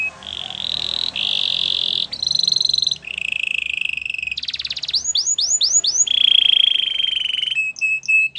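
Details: Singing canary moves through buzzy trills, a harsher rattling phrase, a run of rising swept notes, a ringing whistled trill and short high chips.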